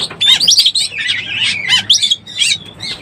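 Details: Oriental magpie-robin in breeding condition, used as a lure call: quick sequence of bright whistled notes and rough chirps, rising and falling, with steady faint low hum.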